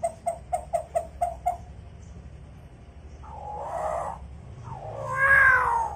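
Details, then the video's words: A vocal hill myna mimicking chicken sounds: a quick run of about seven short, evenly spaced clucking pulses, a pause, then two harsh, rasping bursts that grow louder toward the end. "Burung beo gacor fariasi suara ayam||Masteran burung beo bikin teriak teriak"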